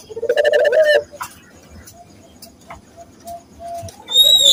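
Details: Local Barbary dove used as a lure to train other doves to coo: a short burst of low harmonic cooing at the start, then faint repeated soft coos and a sharp high sound at the end.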